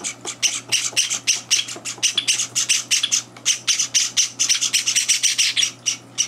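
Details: Begging Java sparrow chicks, new to their home for three days, at morning feeding with two older birds crashing in; overlapping harsh, high screeches tumble quickly and densely throughout.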